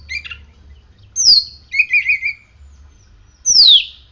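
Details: Song of a kept oriental magpie-robin after morning sun and dew therapy: a brief chatter, a sharp high whistle sliding down, a trilled buzzy phrase, then another loud descending whistle.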